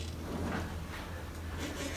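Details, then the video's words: Rescue-center turkey vulture being handled in October 2020, giving a low, rough, rumbling growl for about two seconds, meaning it dislikes the handler and wants to be left alone; faint handling noise behind. "that's a turkey vulture growl"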